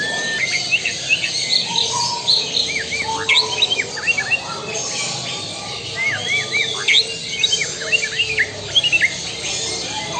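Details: White-rumped shama of the Lampung Super type: a rich, varied song of short whistled notes, sharp upslurs and chirps, mostly high-pitched, delivered in quick bursts over steady background hiss.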